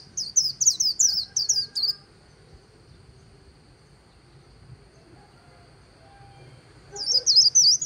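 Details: A líu-style white-eye song beside the Kỳ Cùng river: two seconds of fast, high twittering chirps, a long near-silent gap, then the shrill twitter bursts out again.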